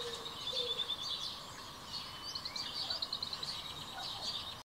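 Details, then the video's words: Birds singing from the rooftops of Trujillo, Spain: high chirps and fast twittering trills overlap continuously, with a brief lower note near the start and a soft background hum. "Rooftop Birdsong Serenade in Trujillo, Spain"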